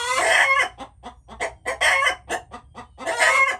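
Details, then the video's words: Chickens calling: three long, harsh, harmonic squawks spaced through the clip, separated by runs of short, sharp clucks repeated in an uneven rhythm. "Chickens making noises"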